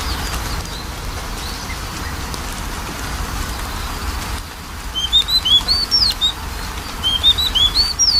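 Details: Magpie-robin song as a lure for a lazy singer: near-quiet start, then a series of high, sweet whistled notes and short slurs in the second half, over steady background hiss.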